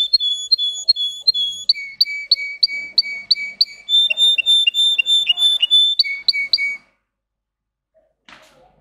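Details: Russian singing canary, green, runs through high tone variations: evenly pulsed repeated notes switching to a lower pulsed tour, then a bright buzzy sequence, stopping abruptly before a short quiet close with a faint noise.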